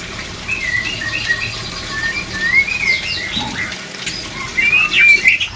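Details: White-rumped shama song aimed at raising breeding drive: soft flowing whistles with a few sharp upslurs, growing louder toward the end as a lively chattering phrase begins.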